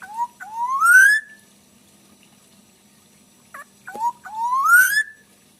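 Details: Golden black-naped oriole whistling twice: each phrase opens with brief soft notes and swells into a long, rich upward-sliding fluted whistle, the two phrases separated by about two seconds of near silence.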